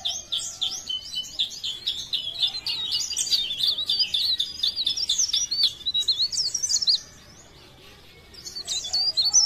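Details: Leaf warbler from Pare Pare singing actively: a fast, jumbled stream of high thin twittering notes, rising and falling slides, continuous for about seven seconds, then a pause before a short burst resumes.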